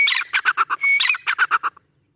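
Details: Grey francolin (Irani teetar) giving a short, loud, harsh run of repeated notes with a brief whistle between two bursts, then silence.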